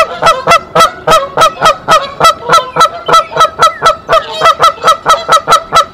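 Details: Nesting female goose at Decorah, 27 March 2023, raising the alarm so the male comes to the nest: a steady rapid train of loud short honks, nearly four each second, with no pause.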